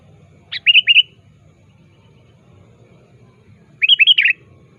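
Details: A sooty-headed bulbul gives lure calls aimed at a rival: two quick phrases, each a sharp note followed by several bouncy slurred chirps, about three seconds apart, with a soft low hum beneath.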